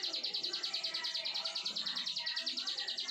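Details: Continuous 'brenn' song of a plain prinia, known locally as ciblek sawah: an unbroken series of high, buzzy, evenly spaced notes repeated quickly over soft low murmuring background noise.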